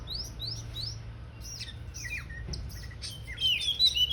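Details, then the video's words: Oriental magpie-robin about to fan its tail, opening with three rising whistled upslurs, then scattered short chips and downslurred notes, ending in a louder burst of varied whistles, with faint low background hum. "Kacer mau bukak ekor"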